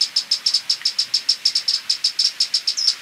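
A violet-capped woodnymph gives a fast, even run of high, sharp chips, about six each second, with nothing else heard.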